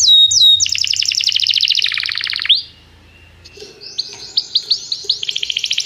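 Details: Canary singing for song training, calling a companion to sing: rapid trills of repeated notes, some descending sweeps, then a pause and a renewed series of quick high chirps.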